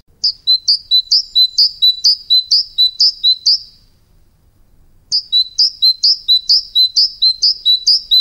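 A tit gives a rapid run of high, bright two-note phrases, about three per second, pauses briefly, then starts another run.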